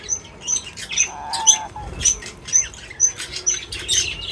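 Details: Birds feeding, producing sharp, very high chirps repeated about twice per second, with a short lower tone in the middle and light rustling.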